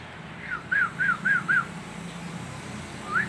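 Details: Nias hill myna from Indonesia, a local bird recorded as a masteran tutoring track: four clear, mid-pitched whistled notes in quick succession, each arching up then down, followed by a rising whistle, over a low steady hum.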